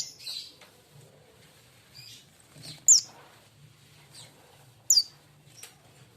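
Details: Caged young sunbird, an untrained fledgling, uttering two loud, thin, high-pitched falling chirps about two seconds apart, mixed with quieter short twitters and a steady low background drone.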